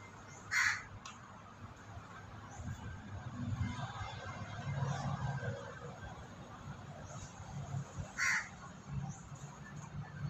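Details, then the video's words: Two short, hoarse crow caws about seven and a half seconds apart ring out over a low rumbling background where a group of white pigeons is feeding and pecking at food. "Suara Gagak"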